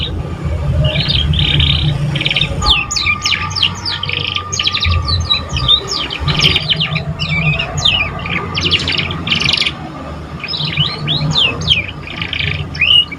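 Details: Young canary learning to sing, delivering a long rambling series of buzzy trills, rapid falling chirps and whistled notes with few pauses, over a constant low hum.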